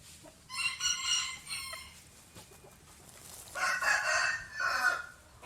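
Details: Rooster crows twice, each a loud, ringing cock-a-doodle-doo of about one and a half seconds with rich harmonics, separated by a short quiet pause.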